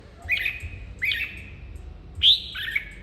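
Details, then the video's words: Red-whiskered bulbul recorded to stir it into singing: three short, bright whistled phrases about one second apart, the last louder and higher, over a quiet low hum. "Chớp mào 3M/ chào mào kích bổi"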